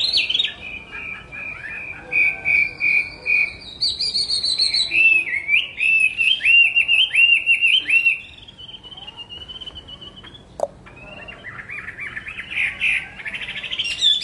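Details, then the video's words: A Chinese hwamei sings loud, rich whistled phrases: quick repeated notes, then slurred rising-and-falling loops, bright and varied, with a brief click midway. "tiếng hót hay nhất của chim họa mi phần 2 | The beautiful song of the nightingale part 2"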